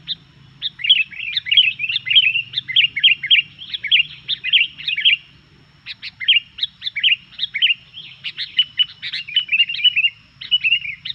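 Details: Sooty-headed bulbul chattering hard in 'gacor' style to stir up rival bulbuls: a dense run of rapid, jumbled chirps and warbles, briefly pausing near the middle before resuming, with faint low hum.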